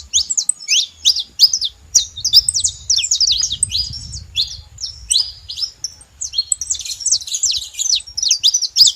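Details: Saffron finches together making noise: a dense, continuous stream of sharp, high chirps and short downslurred notes that overlap one another, with faint low rumbling underneath.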